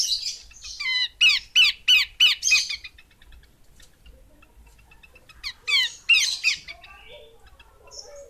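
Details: Female Horsfield's babbler calling in two rapid series of rasping, harmonic-rich chattering notes, about three per second, separated by a pause. Faint high chirps sound near the end.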